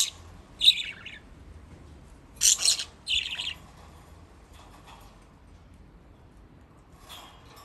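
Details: Pet budgies in Japan playing in water; a few rough, squawky chirps cluster early and then fade, leaving low room hiss and faint rustling.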